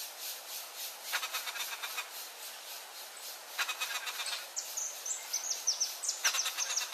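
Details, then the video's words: Turquoise-fronted amazon in Brazil feeding a chick, with two bouts of quick, raspy pulsed sounds about two seconds apart, and high thin whistles of other birds in the background. "TURQUOISE-FRONTED PARROT feeding cub (AMAZONA AESTIVA)"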